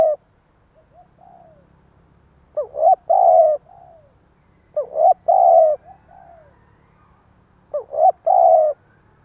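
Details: Stuttering 'gù cà lăm' coo of a spotted dove used as a decoy to provoke others: four repeated phrases of clipped double notes leading into a held coo, followed by short falling murmurs.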